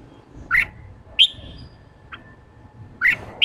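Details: Red-whiskered bulbul in the 'ché' style, used to stir a newly caught bird into song. Short, sharp, bright notes come in two pairs about two and a half seconds apart, with a faint hum underneath.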